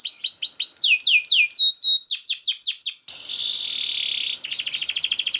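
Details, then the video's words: Canary song for training other canaries to sing: repeated downward-swept whistles in fast series, then a dense buzzy trill followed by a rapid high pulsed roll. "KENARI GACOR SPEED RAPAT UNTUK MASTERAN KENARI ANDA"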